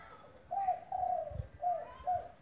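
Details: Spotted dove giving a loud phrase of low coos: a short note, a longer drawn coo, then two short coos, over soft background noise.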